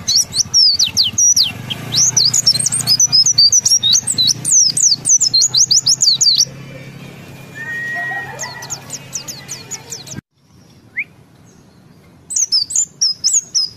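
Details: Caged white-eye (pleci) kept in Indonesia, singing in the rolling ngalas ngeroll style: fast, high, twittering phrases of rising and falling whistles for about six seconds. Softer scattered notes and a low hum follow, then a brief silence and a final burst of chirps.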